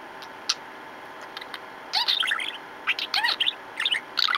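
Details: Indoor pet budgerigar, male, bouncing and playing with its owner in April 2014, giving quiet ticks then louder clusters of high squeaky warbles and chirps, over background hum.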